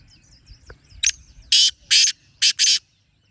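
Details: Grating call of a wild black francolin: a sharp opening note followed by two broad, scratchy bursts and a tight double note, set against faint high twittering of other birds and low background hum.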